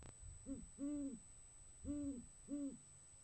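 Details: Great horned owl hooting in January, a male courting a female: deep, soft hoots with a rounded arch shape, four notes spaced irregularly over about three seconds, one held longer, against a faint low hum.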